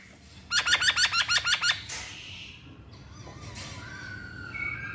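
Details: Masked laughingthrush giving a quick burst of about eight bright, bouncing notes in under two seconds, followed by quieter, drawn-out tones and faint background hiss.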